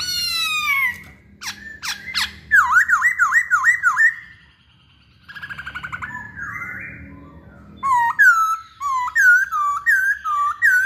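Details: Masked laughingthrush in lively song, mixing harsh squawks and sharp clicks with rapid repeated downslurred whistles. After a rough, buzzy middle passage, clear whistles return in rhythmic pairs.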